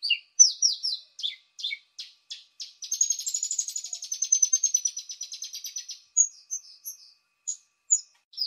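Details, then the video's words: Paddyfield pipit (burung apung) lure sound: a series of high buzzy chirps leads into a long, fast rattling trill of thin notes, followed by scattered sharp chips, recorded cleanly without background noise. "Suara pikat ampuh burung apung"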